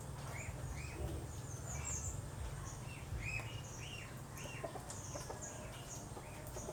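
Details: Asian glossy starling, known locally in the Philippines as galansiyang, a wild bird of moist lowland and mangrove forest: short arched whistled notes repeated irregularly, with faint high chirps, distant rooster-like clucking and a low rumbling background.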